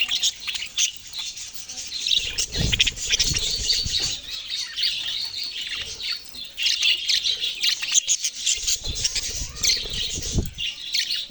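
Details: A flock of budgerigars squawking and chirping at length, with harsh high notes and busy twittering that swell and fade, plus a few low bumps.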